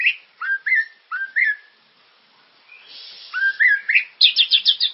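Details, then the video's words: White-rumped shama song for stimulating caged birds to sing: a few clear downslurred whistled notes, a quiet pause with faint hiss, then rising whistles ending in a quick run of high repeated notes. "Suara pancingan burung murai ❗gacor dan berkarakter"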